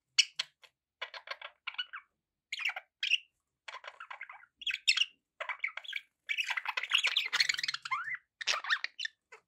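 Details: Budgerigars chattering steadily: a near-continuous run of harsh squawky chirps and warbled twitters in quick bursts, growing into a dense, busy stretch of overlapping chatter toward the end.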